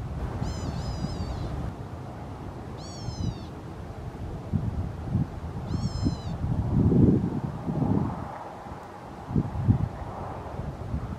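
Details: Endangered California gnatcatcher, filmed in late autumn at Peters Canyon Regional Park or Upper Newport Bay Nature Preserve, California, uttering three buzzy, cat-like mewing calls in the first six seconds, followed by low rustling and thumping noise.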